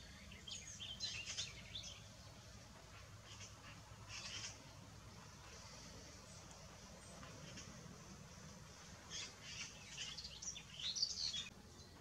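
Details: Eurasian coot feeding its young, summer 2016: thin, high peeping notes in scattered clusters of quick bursts, over a steady low outdoor hum.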